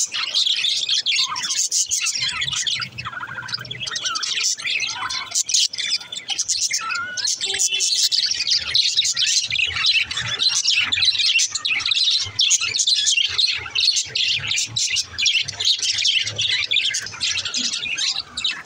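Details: Happy male budgerigars chatter in a steady stream of high, scratchy chirps and warbles with clicks and squeaks.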